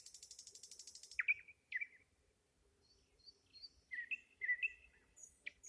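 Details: Nightingale singing: a rapid series of high ticking pulses, then sharp down-slurred whistles, a pause, and varied chirps and short whistled phrases, loud and clear against a quiet background.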